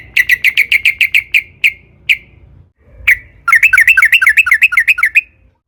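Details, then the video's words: Sooty-headed bulbul lure song in long 'ropel panjang' style: a rapid string of crisp repeated notes that slows into spaced single notes, then a quick bubbling roll of up-and-down notes. "KICAU trucukan gacor JITU NGALAS ROPEL PANJANG buat PANCINGAN agar burung trucuk gacor SEKETIKA"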